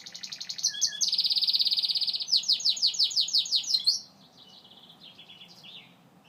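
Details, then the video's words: Gloster canary in full song: a sustained buzzy trill flowing into a series of rhythmic downward-sweeping whistled notes, then quieter twittering. "Gloster Canary Bird Singing"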